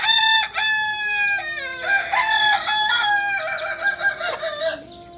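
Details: Farm-bred Kokok Balenggek roosters from Solok, Indonesia, a native singing breed; continuous crowing throughout, with drawn-out harmonic notes stepping up and down in pitch and overlapping voices.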